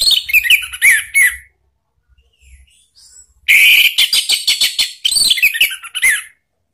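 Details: Orange-headed thrush singing a lure song meant to draw an answer from a pet bird: long runs of loud, varied whistles and harsh clicks, a quieter gap with faint low rumbling, then more rapid phrases.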